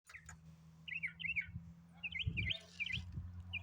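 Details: A possible baby northern mockingbird gives short, bright, high chirps, often doubled, roughly twice a second, over a low rumble of wind or handling noise.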